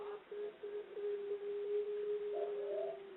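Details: A captive female Barbary (ringneck) dove of the Indonesian 'puter pelung' type, Central Java, gives a long, low, drawn-out coo holding one steady pitch for about three seconds, with a brief rising higher note near the end.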